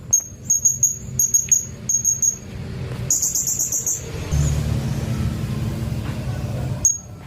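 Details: Blue-crowned hanging parrot singing as a training recording for white-rumped shamas: several short bursts of very high, piercing notes, then a denser rapid trill, a quieter stretch with low rumbling noise, and one more sharp note at the end.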